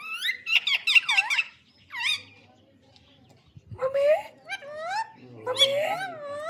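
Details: A talking green parrot produces raspy, speech-like phrases with rising and falling inflections. A quiet pause separates an opening rapid phrase from later drawn-out, nasal, word-like sounds.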